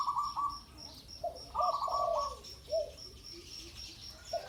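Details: Ground decoy recording of a spotted dove giving gentle, low coos with a long falling slur, interleaved with quick rattling higher notes and a faint steady insect pulse overhead.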